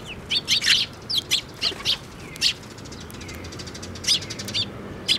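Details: Sparrows flying in to be fed at a bridge by a Tenmangu shrine, recorded 5 May 2024: scattered sharp, high chirps in short bursts, several overlapping, with soft fluttering and a steady low background hum.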